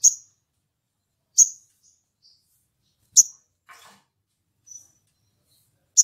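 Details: Sunbird calling to provoke a rival: loud, sharp, high single chip notes spaced about one to two seconds apart, with a brief scratchy rustle in between.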